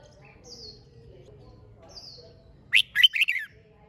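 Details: Red-whiskered bulbul singing in competition style to urge birds into song. After a quiet stretch with faint thin high whistles, one short burst of four loud, bubbling whistled notes.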